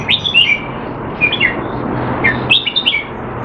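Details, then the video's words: Caged Red-whiskered bulbul in Singapore, being trained and not in top form, delivering a few clear, bubbly whistled phrases separated by quiet gaps over a low background rumble. "นกหัวจุก Jambul V2 LoneRanger training keep him sharp (he's not in form)"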